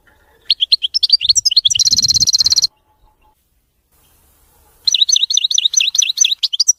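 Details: Error-free song of a European goldfinch: quick rising twitters run into a dense buzzing trill, silence follows, then a steady series of rapid, wavering chirps repeated in a fast, even rhythm.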